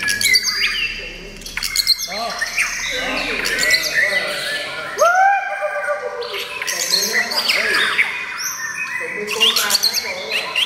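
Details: White-rumped shama named "Chao Fa Lan" pours out a rich, varied song of loud whistles, sharp chips and quick rising slurs while people nearby talk and cheer.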